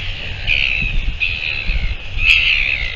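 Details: Northern royal albatross recorded on 13 December 2022, giving drawn-out, nasal, braying calls held for about half a second each, repeated three times over a constant wind rumble.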